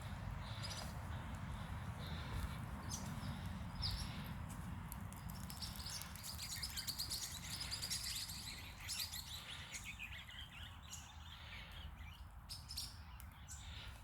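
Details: Swift parrots seen on 12/07/2024 give quick, high, metallic chirps in busy irregular bursts, several birds overlapping, over a steady low rumble of wind or distant traffic.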